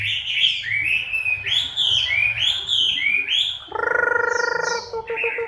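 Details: Chinese hwamei during its moult, October 2015: rolling whistled phrases rising and falling, then a steady buzzy nasal drone for about a second before the whistles return.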